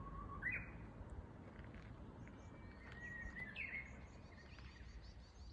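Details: Japanese bush warbler singing at the plum blossom festival in Tsukigase Plum Gorge, Nara, Japan: a steady whistled note rising into a sharp flourish, repeated twice, over steady low rumble and faint high chirps of other birds.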